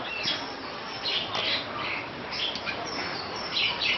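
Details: Superb starling singing as a tutor recording for other birds: a long, rambling stream of high chattering notes, squeaks and short whistles, with brighter bursts every second or so and no pause.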